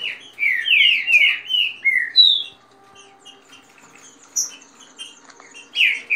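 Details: Fast song with female calls in rain style from kept Green-winged saltators in dispute: a quick run of loud downward whistles in the first two seconds, then near quiet with a few isolated high notes.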